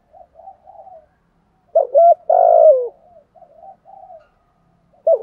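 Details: ["Spotted doves, male and female decoys, in the urging 'gù thúc' style that excites wild birds. Soft low murmurs frame one loud burst of two hoots and a long falling coo, then another coo begins at the end."]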